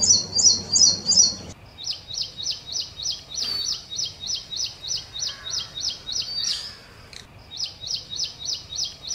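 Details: Ashy prinia, recorded as songbird training audio, delivering a long, steady run of rapidly repeated high, clipped notes with brief breaks, interrupted once by a short noisy burst.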